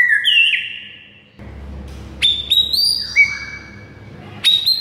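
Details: Master song from a white-rumped shama, meant to rouse silent shamas: a warbled whistle phrase, a pause with low rumble, then sharp high whistles and a downslurred note, ending in a bright burst.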